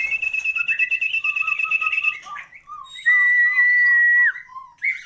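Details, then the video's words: White-rumped shama (murai batu) with 'isian lengkap' full-repertoire song: a sustained high whistle over short repeated lower notes, then a long steady pure whistled tone held over a second before dropping away, followed by soft chips. "burung muraibatu istimewah"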